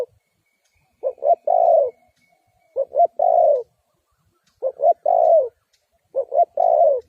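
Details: Lure spotted dove for trapping wild doves calls in repeated phrases: two or three brief clipped notes then a long falling coo, four phrases spaced roughly 1.6 seconds apart, quiet surroundings.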